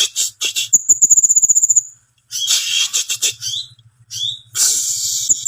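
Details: Timor sparrow song with a rapid, very high, even trill, then scratchy bursts of chatter and short rising chirps, over a faint low buzzing hum.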